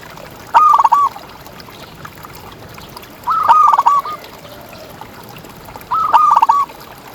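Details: Gacor local zebra dove, a contest champion singing in ngalas style as a tutor and lure for other doves, delivers three stuttered cooing phrases spaced nearly three seconds apart, with steady background hiss between.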